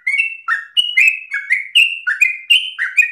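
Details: Sooty-headed bulbul singing hard in ropel style, used to coax and tutor other birds: short bursts of bright, slightly buzzy notes swinging between two pitches, each ending in a falling slur, evenly paced.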